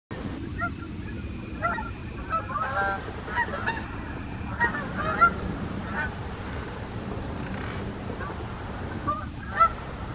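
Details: Wild Canada geese flying over in the morning in the USA, giving scattered nasal honks that come in short bursts of two or three, with a steady low rumble of background noise throughout.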